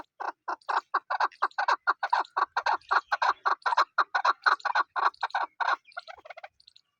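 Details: Chukar partridge chicks giving a steady run of short, clucking notes, about two a second, then a few softer, higher, broken notes at the end; no other sounds.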